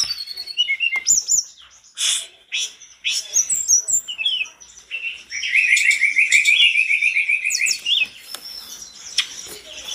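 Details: A Sunda robin in full song, with another Sunda robin said to answer it, gives a busy, high song of quick chirps, sharp whistled phrases and a run of rapid warbled trills.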